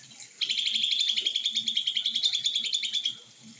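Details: Leafbird singing a rapid, dense run of sharp chirps around a bright high pitch, notes repeated about three or four per second for nearly three seconds, with a faint high hiss behind.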